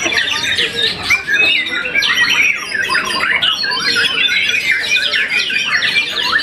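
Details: Young white-rumped shama, once-moulted contest champion, singing busy, rapidly alternating whistles and clipped chattering notes in a steady continuous flow.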